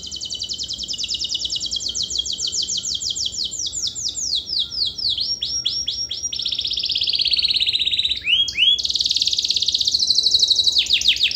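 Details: Extended canary 'gacor' song, used to provoke non-singing canaries: a rapid high trill that breaks into slurred descending notes, with buzzy interludes and sweeping phrases climbing in loudness toward the end.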